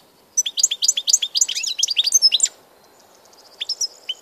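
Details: Goldfinch recorded on 16 March 2014 delivers a fast two-second volley of crisp, tinkling, rising notes, then pauses before a few scattered chirps.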